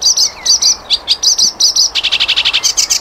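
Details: Flycatcher song used as a tutor recording for cage birds: high, sharp chirps repeated in quick bursts, then a fast run of rapid ticking notes and bright, clipped whistles at the end.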